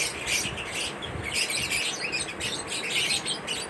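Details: Lovebirds in mating ritual chirping with quick, high, raspy notes. Clusters of chatter alternate with short softer gaps, and several birds call at once.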